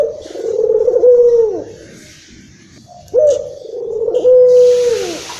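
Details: Excited local Barbary dove from Indonesia, its voice meant to lure and stir up other doves. Two drawn-out, throaty coos with a quavering middle and a falling end, separated by a quiet pause of over a second.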